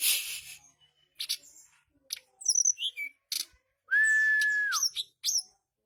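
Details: Mountain flycatcher (tledekan gunung) singing its chattering ngeriwik song: scattered high chips and sliding notes, then a sustained flat whistle that falls at the end, followed by a short rising note.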